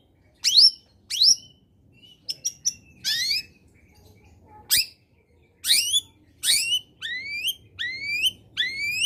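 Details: Long-tailed shrike lure song meant to get reluctant shrikes singing: scattered sharp downslurred notes, a harsh rasp and a click, then a series of clear rising whistles repeated roughly every second toward the end.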